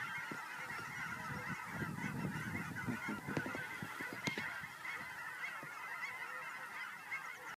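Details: Geese honk continuously as they come home to Fern Ridge, recorded March 4, 2012, during a walk without narration. A thick, even wash of nasal calls is heard with a few low rustles and thuds.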